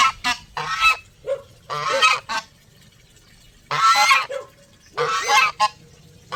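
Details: Groups of geese honk in loud, harsh bursts, with a long quiet stretch in the middle before more resonant calls resume.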